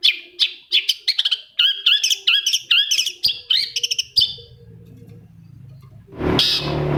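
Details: Long-tailed shrike (cendet) lure song, meant to provoke a reluctant shrike to sing. A rapid run of harsh, chattering notes for about four seconds, then a quieter stretch and a burst of broadband noise at the end.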